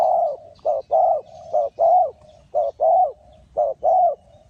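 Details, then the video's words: Spotted dove cooing, used as a lure for trapping wild doves on the ground: low, soft hooting coos in a steady run of about nine notes. Short and longer notes alternate, joined by faint murmuring, in an otherwise quiet setting. "นกเขาใหญ่สายต่อดิน,The Sound Of the dove"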